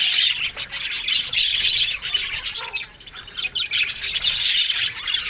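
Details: Budgies chattering in an aviary colony: rapid, rough chirps and warbling squawks, many overlapping, with a short lull near the middle before the noise returns.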